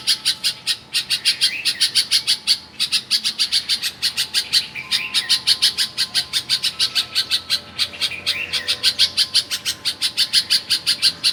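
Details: Bulbul singing at a family home in Karachi, Pakistan: rapid, regular chirping notes repeated about three times a second, with occasional short rising whistled phrases woven between them.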